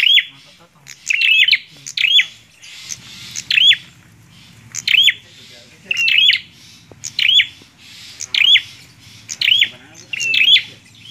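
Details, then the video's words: Persistent bar-winged prinia song: short, sharp chirping bursts repeated about every second over a low background murmur, possibly voices. "PRENJAK KLAWU GACORR"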